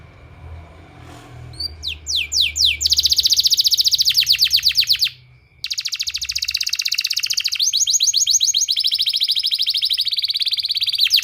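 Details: Canary song used as a therapy sound for training canaries: rapid repeated rising sweeps, then long buzzy trills of fast identical notes, a brief pause, then more rolling trills at a changed pitch; a steady high tone underneath.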